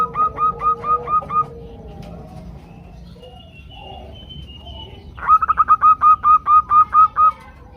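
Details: Flock of female zebra doves calling for males. A short run of evenly spaced ringing coos, a quiet stretch with scattered soft notes, then a rapid burst settling into about ten steady, clipped coo notes.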